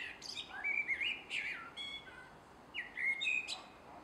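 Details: Garden recording from 3 July 2016 at dusk: a male common blackbird delivers two flowing whistled phrases, each closing in scratchy high squeaks, separated by a brief pause.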